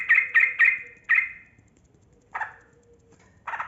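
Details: Yellow-vented bulbul singing in the 'ropel panjang' rapid style to provoke quiet birds: four quick bubbly notes, a pause, then two separate gurgled notes, with a faint steady tone underneath.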